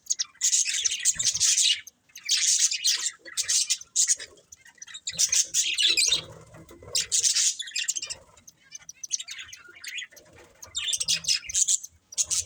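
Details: Pair of breeding budgies chattering in loud rushes of high, raspy warbling, each burst lasting about a second and repeating every one to two seconds.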